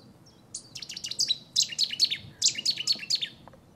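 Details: Cetti's warbler in territorial and courtship display at Newport Wetlands Reserve: a sudden outburst of loud, sharp, descending notes in rapid succession, about two per second, over a low background hum.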